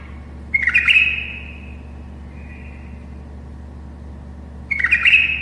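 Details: Tame bulbul helping other bulbuls learn to sing: two bubbly, liquid phrases about four seconds apart, each fading into a thin trailing note, over low electrical hum.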